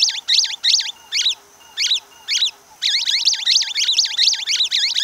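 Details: Orange-fronted yellow-finch, known in Brazil as canário-do-amazonas. Very high, rapid song of repeated swooping notes in quick bursts, several short phrases then a longer continuous run of the same looping motif.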